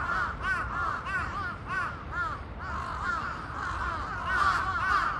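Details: Crows in a big flock calling noisily all at once: rough, arched caws from many birds overlap densely, roughly two per second, swelling louder toward the end, with a low background rumble.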